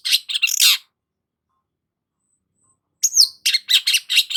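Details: Cendet, long-tailed shrike, in full voice as a lure for stressed shrikes: a burst of harsh, squeaky chatter, a three-second silence, then a whistled slur followed by rapid scratchy notes.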